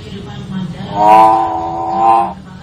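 A common hill myna gives one drawn-out, nasal, voice-like call lasting over a second, swelling twice before fading, over a faint background hum.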